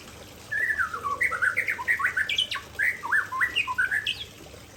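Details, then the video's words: Aceh white-rumped shama singing its signature fill: after a brief quiet start, a steady stream of clear, varied whistled notes, some sharply rising, others slurring down. "Murai Aceh Tumpahkan Isian Andalan"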